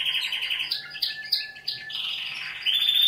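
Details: Young canary singing: loud, rapid rolling trills and buzzy repeated notes alternating with clear whistled phrases, building into a bright, high, steady trill at the end.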